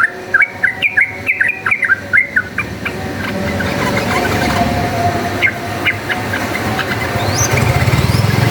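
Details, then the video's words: Yellow-vented bulbul giving a chatty, rapid fighting song used as a lure: a quick run of bubbly, warbled notes for almost three seconds, then scattered single notes over a steady low rumble that swells near the end. "cuk cuk uplik uplik ! trucukan gacor ropel tarung, pancingan ampuh jadikan burung trucukan fighter"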